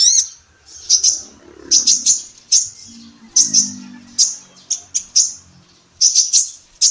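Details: Female kolibri ninja sunbird from Indonesia, in a songbird training recording, repeats sharp high chirps in doubles and triples about every half second, with a soft low murmur behind.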